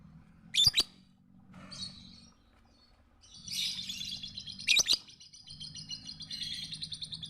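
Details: Lovebird tutor song for beginner training: two sharp, loud clicking notes about four seconds apart, between stretches of shrill, rasping high chatter and brief squeaky phrases.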